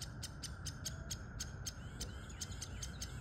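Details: Adult woodpeckers with nestlings in a tree; the young give rapid, high, raspy chirps about five a second over a steady low rumble and faint continuous hum.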